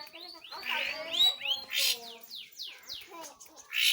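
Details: Long-tailed shrike (pentet/cendet) singing: a short sequence of sweeping whistled slurs, harsh rasping notes and a series of descending chirps in quick succession.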